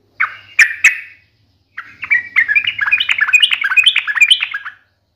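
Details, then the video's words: Yellow-vented bulbul singing hard in sharp fighting style to draw replies from other birds: three short emphatic notes, a pause, then a long, fast, bubbling run of chattering warbled notes lasting about three seconds. "KICAU SUARA trucukan gacor NGALAS TAJAM TARUNG ini MENJADIKAN burung trucuk gacor NYAUT SEKETIKA"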